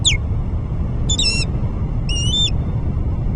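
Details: Osprey calling at the nest, filmed by a camera at Alyth substation on 30 July 2024; three clear, high whistled calls about a second apart, each a short wavering piping note, over constant low rumbling noise.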